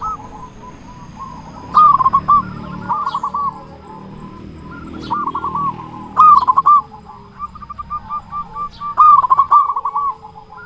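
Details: Local zebra dove in full, loud song, meant to lure other doves into singing: short rolling phrases of quick, stammered coos, each followed by a few spaced notes, repeated about every two to three seconds.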